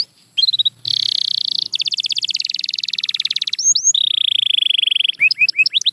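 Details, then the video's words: Canary singing: a rapid buzzy trill, then fast evenly repeated notes, a long steady whistled roll, and closing rising chirps, all high-pitched and continuous. "Watch Silent Canaries Start Singing Again"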